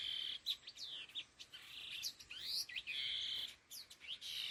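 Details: Laughingthrush, khứu lùn, giving đôi hung gọi đằng calls with sustained mid-high whistles interspersed by rapid slurred chirps and upward sweeps, fairly continuous throughout.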